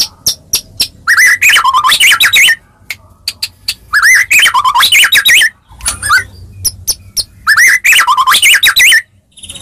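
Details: Melodious White-rumped shama song intended to make other shamas respond: a rich warbling phrase of swooping whistles repeated three times, each preceded by a few sharp separate notes, with short gaps between.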